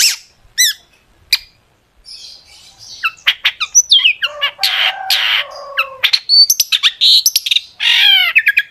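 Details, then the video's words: Lively long-tailed shrike song rich in sharp 'tembakan' shots, meant as a lure to make shrikes sing; sparse high slurred notes build into a long, varied stream of whistles, buzzy rasps and rapid chips. "cendet gacor FULL ISIAN TEMBAKAN TAJAM untuk PANCINGAN CENDET AGAR BUNYI jadikan BURUNG PENTET GACOR"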